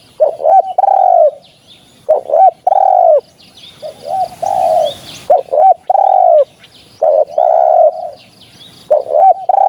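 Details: Spotted dove recording used as a hunting lure: loud, mellow coos in short phrases, a few quick rising notes followed by a long steady coo, repeated about every two seconds, with faint chirps from other birds.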